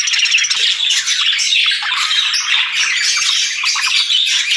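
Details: Many budgerigars chirping and singing, a constant bright warble of fast chirps, squeaks and short squawks overlapping throughout.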